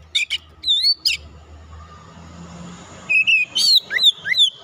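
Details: Oriental magpie-robin lure song for stirring birds into full song: two short whistled bursts, a long quieter stretch with low humming, then rapid falling and looping whistles repeated roughly every half second.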